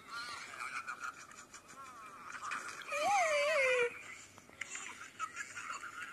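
Undulated tinamou gives a single low, mellow whistle lasting about a second that rises, wavers and slides down, over steady chatter of other forest birds and insects.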